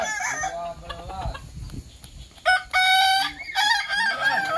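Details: Practice contest of Kukuak Balenggek chickens, Sawah Lunto: faint broken crowing gives way to two loud sustained multi-note crows, clipped at the start, with lower clucks beneath.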